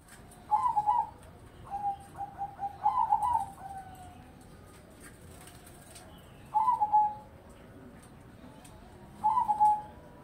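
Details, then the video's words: Crossbred zebra doves (perkutut crossing) singing, the song heard morning, midday and evening: short bubbling, rolling coo phrases, some in quick doublets, returning every few seconds against a quiet background. "Perkutut Crossing Gacor"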